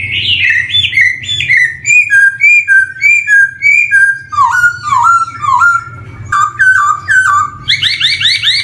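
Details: Black-throated laughingthrush song, a lure for young birds beginning to sing: a fast varied series of clear whistled notes, some slurred downward, others rising, ending in harsh buzzy phrases, over a low background hum.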